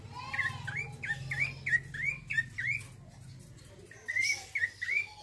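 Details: Male bar-winged prinia singing a vigorous rolling song. Two rapid bursts of sharp, upward-sweeping chirps are separated by a short pause, with a low droning hum beneath.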